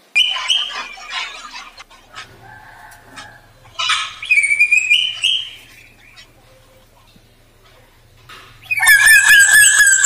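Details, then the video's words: Black drongo in its lure song for setting other birds singing: scattered chattering and squeaky notes, a buzzy rising phrase midway, then a loud, wavering, richly whistled ending, over faint low mechanical pulsing. "Burung srigunting kantil hitam | srigunting bukit gacor | pancingan"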